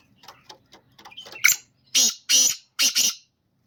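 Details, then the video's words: A black francolin gives its call: faint ticking notes build to a loud rasping burst, then three harsh, scratchy notes, the last one doubled. "Kala Teetar ki awaz"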